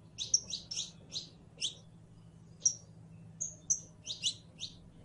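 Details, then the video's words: Saffron finch, Sicalis flaveola, known locally as canario criollo, singing: bright high chirps in loose clusters, some doubled, with short pauses and a low steady hum beneath. "CANARIO CRIOLLO EN PRELONO CANTO: UN SONIDO QUE ENAMORA"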